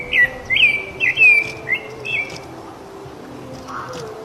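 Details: A rufous-bellied thrush sings free in nature, giving a run of clear whistled phrases, each sliding down, one after another for about two seconds before falling quiet. Faint low background hum.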